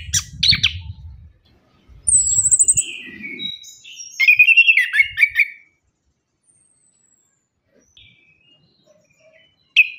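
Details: Orange-headed thrush lure song, aimed at birds gone quiet after moulting or learning to sing: a varied medley of chattering notes, a high buzzy trill, and warbled whistles, then a long near-silent stretch, over low thumping background.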